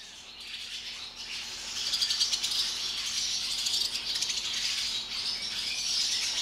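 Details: Barn swallows swarming into an equipment barn when its door is opened: a crowd twittering together, a dense, high, scratchy chatter of overlapping chirps that swells after the first second and keeps up without pause.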